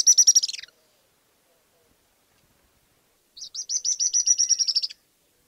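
A Sooty-fronted Spinetail gives two high, dry chattering bursts, a short falling one and then a longer rapid stuttering trill, with silence between.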